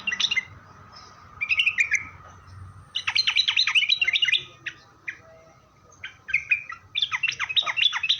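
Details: Sooty-headed bulbul singing as a lure meant to provoke replies from other bulbuls: a brief slurred note, then dense runs of sharp, bubbly chirps and downward-sliding notes in several bursts with short gaps; faint low hum behind.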